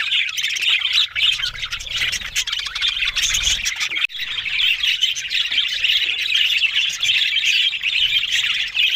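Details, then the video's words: Budgerigars, Australian parrots, warbling and squawking as a crowd; a continuous high gritty babble with chirps, interrupted by a short sharp click midway before resuming. "Beautiful Talking Budgies Australian Parrot Sounds"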